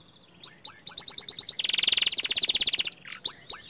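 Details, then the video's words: Young canary in full song: rising whistled notes in quick series, then a long fast rattling trill, ending with more bright upward-sweeping whistles. "Kicauan Burung Kenari Muda Gacor"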